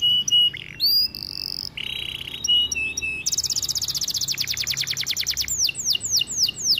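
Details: ['Song of a white canary, opening with clear whistled tones and buzzy notes, then a long rapid trill of high repeated elements ending in slower falling sweeps.']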